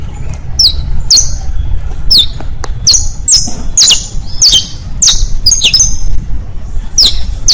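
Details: Saffron finch song for tutoring young birds, styles called bastos, pintos and finos: sharp descending high chirps, roughly two per second, over steady low rumbling background noise outdoors.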